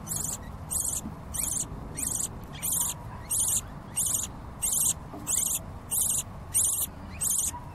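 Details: Baby lovebirds begging for food: short, hissing, high-pitched bursts in a very even rhythm, roughly one every 0.7 seconds, against a soft low rumble.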